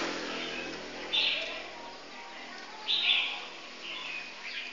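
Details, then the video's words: Red-whiskered bulbul of the close-bibbed type: two bright, brief chirped bursts about two seconds apart, with a softer third phrase, over a steady hiss of background noise. "Chào mào yếm khít"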